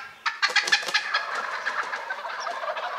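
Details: Rhode Island wild turkeys in early spring: several sharp, loud, stuttering notes start a busy, rolling chatter of gobbling and clucking that fills the rest of the clip.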